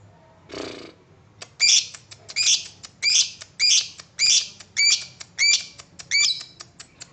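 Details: Lovebird 'ngetik' call used as a lure to set other lovebirds trilling ('ngekek'): a soft rustle, then a run of eight bright, sharp, high chirps at a steady rhythm, laced with quick ticking clicks.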